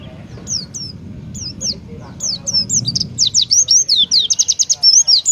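An Oriental white-eye sings thin, high, twisting whistles that speed into a rapid run of sweet trilled notes, about two a second by the end, over a faint low hum.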